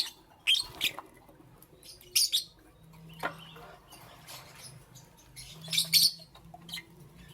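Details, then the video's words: A lovebird in the morning utters sharp, high, squeaky chirps in scattered pairs, between quieter stretches with a low steady hum. "Lovebirds Chirping Sounds"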